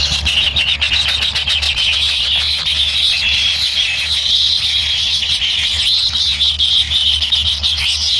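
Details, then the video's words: Young kingfishers in their nest wait impatiently for food from a parent. They give a steady, high, raspy buzzing chorus with a faint low hum underneath and scattered sharp ticks throughout. "ANAK BURUNG KINGFISER LUCU ‼️TAK SABAR SAAT MAKAN"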